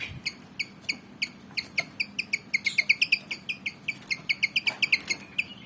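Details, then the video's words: Javan fantail, black and white, about 19 cm, eager to fight: a steady series of short, sharp chipping notes, roughly three per second, evenly spaced and bright. "Burung Kipasan Jawa Ngotot Liat Pengen Tarung"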